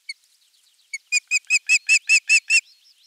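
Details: Osprey at a Finnish nest-cam nest (nest 3) on the morning of 23 June 2020, when a half-kilo crucian carp arrived as the morning fish: two thin high notes, then about eight harsh, squealing calls, roughly five a second.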